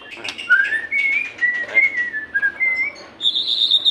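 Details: Song of a white-rumped shama used to prompt captive shamas: a series of clear, sustained whistles stepping between pitches, ending in a higher, steady whistled note.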